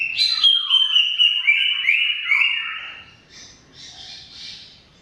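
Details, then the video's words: Cucak ijo, or greater green leafbird, in rapid chattering song: loud slurred whistles rising and dropping in quick succession for three seconds, trailing off into soft, hissing high twitters. "Suara Kicau CUCAK IJO Gacor Panjang Khusus Untuk Cucak IJO Yang mogok NGOCEH"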